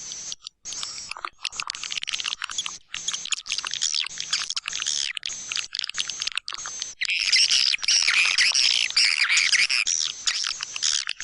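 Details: White-nest swiftlet calling sound for swiftlet houses, proven in East Kalimantan. Rapid repeated chirps with buzzy trills in the first half, followed by a denser, louder wash of twittering.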